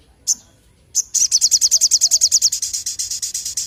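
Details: Crimson sunbird singing vigorously: two isolated high sharp notes, then a fast, even trill of thin, very high chipping notes, about eight per second, running steadily to the end with a slight fade.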